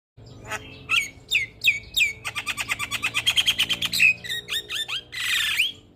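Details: Javan myna in full vigorous song, used as a tutor recording to make other mynas sing: sharp whistled notes dropping in pitch, then a fast run of clicking, rattling pulses and a closing burst of harsh, hissing noise.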